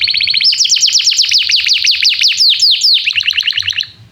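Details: Vigorous canary song serving as a training lure for young birds: a continuous run of quick rising and falling whistled notes, several per second, blending into a buzzy trill that fades at the end.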